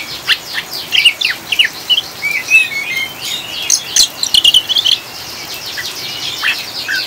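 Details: Oriental magpie-robin giving ngriwik chatter, mixed with rain to stabilise caged birds: quick clicking chirps and twisted whistles in clusters, fading to sparse notes at the end.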